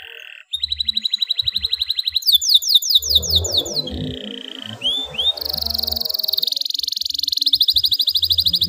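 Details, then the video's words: Canary in breeding condition, used to stir quiet canaries to sing and to stimulate females: a long rolling song of fast trills and buzzy rattles shifting between pitch levels, with low thumping sounds underneath. "SUARA KENARI BIRAHI AMPUH BUAT TERAPI KENARI MALAS BUNYI AGAR NYERANG"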